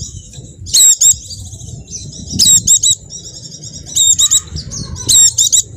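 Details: Javan white-eye singing as a lure for caged birds that have stopped singing: four bursts of quick, piercing high chirps, each followed by a thin trilling twitter, over low background rumble.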